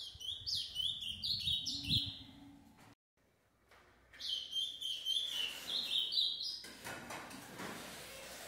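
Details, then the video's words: Caged ultramarine grosbeak in Brazil delivers loud whistled phrases of quick rising and falling notes in two bursts separated by a brief silence, with a low steady hum underneath. "azulão/ veja o 💯 pareia e seu filho com 6 meses"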